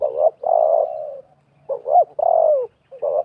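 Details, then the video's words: Spotted dove cooing in a clash between a wild bird and a decoy, recorded at a 2024 trapping site. A long smooth coo and a pause lead to a clipped double note, a falling drawn coo, and a short final note. "TERKUKUR LIAR DAN PIKAT BERADU/BERLAGA HEBAT"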